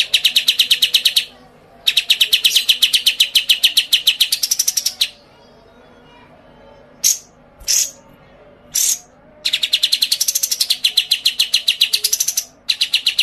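A white-eye sings long, very high, rapid trilled runs of several seconds, broken by brief sharp chips and short pauses of near silence.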